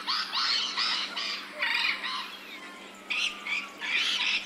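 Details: Ambisonic surround recording of an Australian rainbow lorikeet: shrill, grating screeches in rapid pulses, a lull crossed by thin gliding whistles, then renewed harsh bursts.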